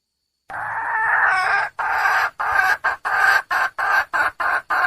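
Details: A junglefowl hen calls to attract a male: a long, coarse note is followed by a string of shorter, uneven, nasal notes with brief gaps between them.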